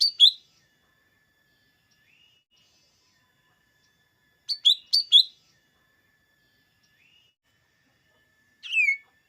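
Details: Lesser green leafbird song for rousing green leafbirds before contests: scattered bursts of bright paired chirps separated by long gaps, a faint steady tone running between them, ending with a single descending note.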